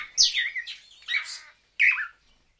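Swallow-tailed manakin giving harsh, buzzy, downslurred notes in a quick cluster, then one more after a short pause.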